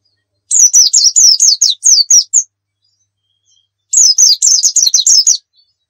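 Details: White-eye (pleci) in a fast 'nembak' song style for luring and tutoring: two bursts of quick, high, bright whistled notes repeated rapidly, with a pause of over a second between bursts.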